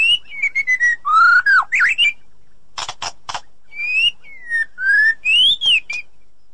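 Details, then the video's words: Edited song of a white-rumped shama, used to rouse a silent shama: clear whistled notes sliding up and down, a short burst of three harsh rasping notes mid-phrase, then more pure rising and falling whistles. "Ocehan Murai Batu"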